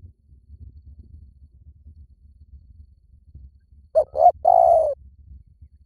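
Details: Spotted dove call used as a lure to draw wild doves: after quiet low rumbling, a single phrase of two short coos followed by a longer drawn-out low coo.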